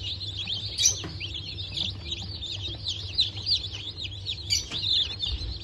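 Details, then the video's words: Freshly hatched chicks from a 19 November 2024 hatch of Brahma, İspenç and dwarf Cochin birds: many shrill, rapid cheeping notes crowding together, some louder peeps standing out, over a low machine hum. "Yeni Çıkım 19.11.2024 - İspenç, Cüce Koşin"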